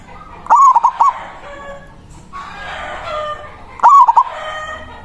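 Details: Zebra dove of local stock giving its loud manggung song, used to call a rival. Two rapid coo phrases about three seconds apart, separated by a rough, noisy stretch of background sound.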